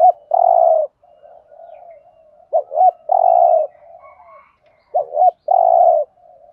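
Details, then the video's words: Trapping-decoy cooing of a spotted dove in 'thúc gù' Thổ style: a held low coo, then repeated phrases of two short hooked notes and a long mellow coo, with quieter purring in the pauses. "Tiếng chim cu gáy thúc gù giọng Thổ thúc gù"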